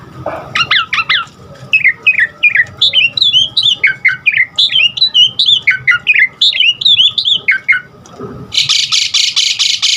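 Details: Asian pied starling (jalak suren) singing to train caged birds, a long run of repeated rising and falling chirps, ending in a loud harsh rattling burst.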